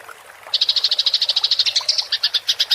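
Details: House sparrow 'gereja tarung ngerol', a fighting-style rolling chatter used for training songbirds: after a quiet half second, a quick train of about twenty crisp, evenly spaced chirps that slows a little toward the end.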